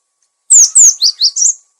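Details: Cinereous tit in a clear lure recording, also used as a training master for caged birds: one quick phrase of two bright, downslurred whistles followed by three lower, rounded notes.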